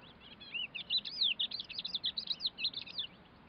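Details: A Thekla's lark at a pond in Cabranosa, Sagres, Portugal, on the morning of 2 April 2022 sings a quick, varied run of sweet whistled and twittering notes, rising and falling, about two seconds long, over faint hiss.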